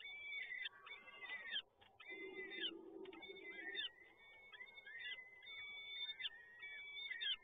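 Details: Fed peregrine falcon chicks at Toruń, Poland, 30 April 2022, keep up a near-continuous run of grating, quavering begging wails with drooping endings; a low murmur shows in the middle.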